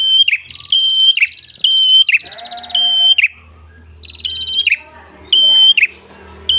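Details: Red-headed tailorbird, a lure recording for attracting and training other birds: loud, clear whistled notes held level and ending in a quick downward flick, given in bursts about once a second with short pauses. Faint low hum underneath.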